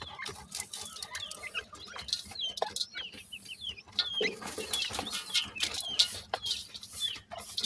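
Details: Baby partridge chicks peeping. Short, high, downslurred whistled peeps repeat irregularly from several birds. Soft clicks and scratching sounds run underneath.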